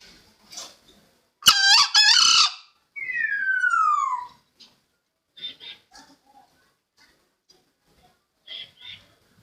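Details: Green junglefowl crowing, offered as a trapping lure: a brief, rasping, strongly ringing crow near the start, quickly followed by a long downward-sliding whistle, then quiet soft chirps and ticks.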